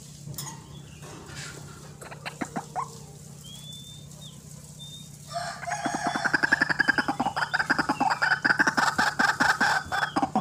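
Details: White-breasted waterhen calling energetically, a recording used as a lure for bird trapping: scattered harsh croaks, then a dense run of rapid, rhythmic pulsed grunts building in loudness, with brief thin whistles of another bird early on.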